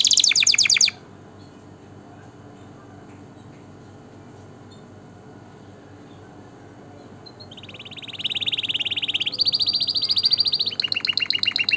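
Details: Canary song for tutoring chicks and stimulating breeding: a short burst of fast trilling, a long quiet gap, then trills resuming and stepping up in pitch.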